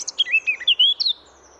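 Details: Short warbling fragment from a free-living Eurasian blackcap in France, a quick string of mellow whistled notes rising and falling, lasting about one second.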